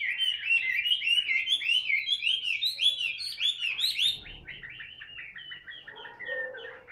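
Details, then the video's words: Caged Chinese hwamei, a Vietnamese fighting bird of the tail-spreading style, giving ngũ trường song in hand: loud arching whistled notes in regular series, then a softer stretch of lower, quieter twitters. "HM 203 ngũ trường siêu mẫu đấu xòe cầm tay hót"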